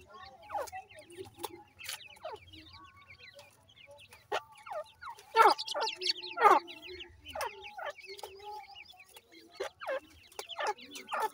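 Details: Grey francolin chicks in Punjab, Pakistan: a flurry of short, thin, downslurred peeps repeated roughly once a second, with some louder overlapping bursts and rustling handling noise between calls.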